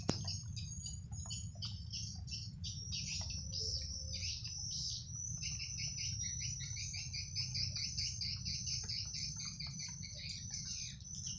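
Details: A crowd of swiftlets returning home to their nest house, twittering in dense, overlapping high chirps over a low background rumble.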